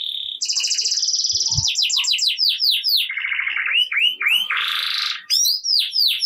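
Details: Canary in full song, meant to coax silent canaries into singing: a steady whistle leads into a dense buzzing trill, then a series of looping sweeping notes and a lower rolling trill ending in swooping chirps.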